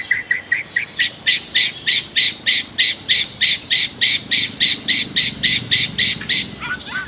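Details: White-rumped shama used as a master song for training other birds: a rapid, steady series of harsh, buzzy notes repeated about three times per second, ending in short whistled notes.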